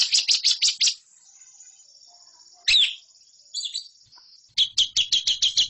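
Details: Lovebird recorded as a training song for competition birds: a fast series of harsh chirps, a thin high whine, a lone sharp squeak, a brief twittery burst, then another quick run of rasping notes.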